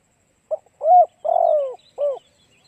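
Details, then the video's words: Spotted dove cooing as bait for wild doves: one phrase of a short note, a rising-falling hoot, a long sliding coo and a final hoot, while thin high chirps of another small bird sound faintly. "Cu gáy kích mồi tập bổi hiệu quả nhanh"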